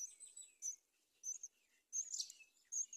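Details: Nest in a palm tree where a mother myna brings locusts to her young; thin, high squeaky chirps in four quick bursts, over a faint constant high hiss.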